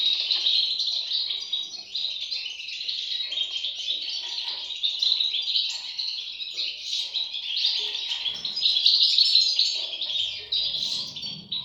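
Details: Young European goldfinches keep up a steady, busy chatter of sharp high chirps, about three per second, merging into a buzzing chorus; a faint low thump near the end.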